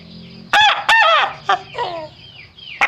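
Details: Rooster with a trumpet-like crowing voice: two loud clipped bursts, a short harsh note, then descending drawn-out tones fading, ending with a sudden sharp click.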